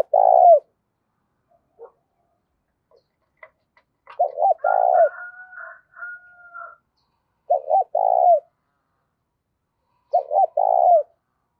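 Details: Vigorous decoy spotted dove in the 'thổ cục đình' voice style, cooing to draw in wild doves. Four deep phrases, each with quick stuttered notes and a drawn-out coo. Thin whistles and faint chirps from other birds come between them.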